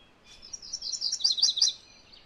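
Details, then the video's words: Song of a MacGillivray's warbler: a fast, lively series of paired buzzy chirps that grows louder and steps slightly lower near the end, then stops abruptly. "MacGillivray's Warbler Song ! MacGillivray's Warbler Sounds ! MacGillivray's Warbler Call"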